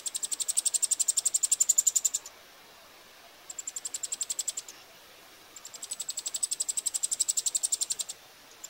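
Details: Begging Eurasian wryneck chicks at feeding time, Pribytki, Russia, 2 July 2018: three bursts of high, hissy, ticking notes, about four per second, evenly pulsed, separated by brief silences.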